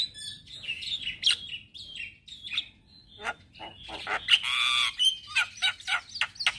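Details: A male Javan myna sings in the morning, a recording meant to lure and tutor starlings. Grating chatter alternates with brief whistles, then a loud rasping burst and quick repeated notes.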